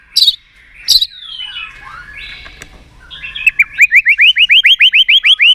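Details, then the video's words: White-rumped shama song meant to stimulate birds to sing and flick their tails: two loud sharp notes, soft sliding whistles, then a long fast series of rising whistled notes, about three each second. "luyện chòe lửa hót nhiều giọng"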